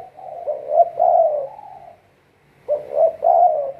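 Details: Decoy spotted dove for trapping: two groups of soft, throaty coos, the first ending in a drawn-out lower note, then a pause before a second pair of coos.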